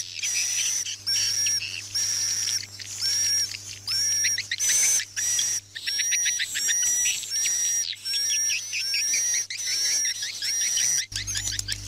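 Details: A swiftlet night-lull sound for indoor speakers in swiftlet houses: swiftlets twitter in rapid, high, chirping bursts, roughly one per second, over a thin steady whistle and a low electrical hum.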